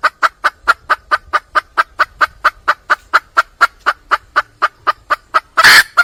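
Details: Red junglefowl hen in the wild calling for a male gives a steady train of crisp mid-pitched clucks, about four per second, ending with one loud harsh squawk.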